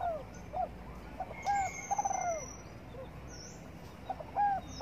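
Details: A spotted dove cooing as it basks in morning sun. Repeated soft notes lead into a longer, falling, slightly rough croo. The pattern repeats over a steady, quiet background.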